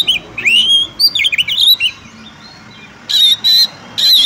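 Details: Female Oriental magpie-robin calling to a male to spur his song: a quick tumble of slurred whistles and chirps, a short silence, then three evenly spaced harsh buzzy notes.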